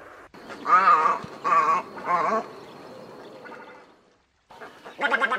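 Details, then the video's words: Egret calls played as a lure for bird trapping: three loud, rasping, gargling croaks in quick succession, then a fainter grating call and a final harsh croak after a short pause. "TIẾNG CÒ TRẮNG"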